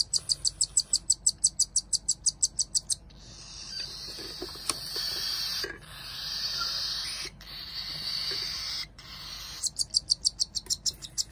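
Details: Two hand-fed pet cockatiel chicks, born the same day but differing in size, begging for food; rapid high peeps in quick regular series at start and end, with a harsh rasping hiss filling the middle.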